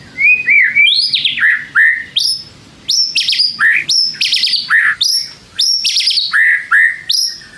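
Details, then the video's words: Provoking song of a white-rumped shama, varied loud phrases mixing low rich whistles, rising slurred notes and high buzzy trills, delivered in quick bursts about three times a second with short silences. "pancing MURAI BATU malas bunyi/bahan paling GAMPANG direspon tanpa takut |murai gacor |shama bird"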